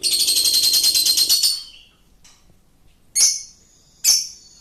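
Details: Lovebird long chattering song (ngekek) used as a lure: a dense, shrill rapid trill for about a second and a half, then silence broken by two separate sharp, high, drawn-out shrieks.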